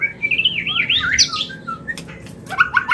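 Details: White-rumped shama mating call for bringing a bird into breeding condition: a fast warbled run of rising and falling whistles, a long descending slur, then sharp clicks and short bright notes.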